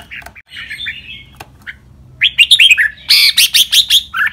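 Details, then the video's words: Red-whiskered bulbul kept in a cage, singing a training song meant for young birds to learn: soft warbled notes, then a loud burst of rapid, bright chirping phrases near the end. "นกกรงหัวจุก เสียงร้องเล่นริก ลักเบิ้ล ลากหวาย แม่บท นับดอก"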